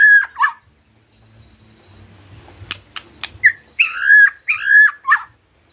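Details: White-rumped shama, stirred by a lure recording, gives two whistled notes, a pause with soft background rumble and sharp clicks, then several rich, looping warbled whistles.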